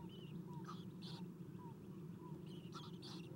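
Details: At an Eastern Screech-Owl nest, owlets are fed at 7:04 am on 11 April 2016; thin whistled notes come every half second or so, with a few harsh hissy bursts, and a constant low electrical hum runs underneath.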